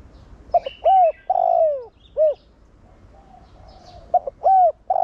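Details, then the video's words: Spotted dove in the Thổ Đồng singing style, a decoy cooing to prompt other doves: one complete phrase of short notes, a long down-slurred coo and a short last coo, then the next phrase starting; faint chirps above. "Cu gáy Giọng Thổ Đồng Gáy Gọi kích bổi nhanh gáy/cu gáy mồi kích bổi mau nổi"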